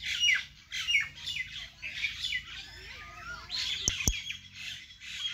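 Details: Birds chirping in a vegetable garden: repeated bursts of high scratchy chirps, faint wavering lower notes in the middle, and two sharp clicks near four seconds.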